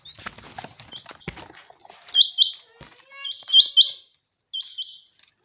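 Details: Against a rustling, noisy background, a common quail in a summer meadow gives loud doubled high notes, then a quieter pair as the noise fades.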